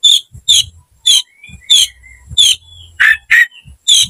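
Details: Oriental magpie-robin in aggressive fighting mood, giving short harsh rasping notes about twice a second, with faint thin whistles between them.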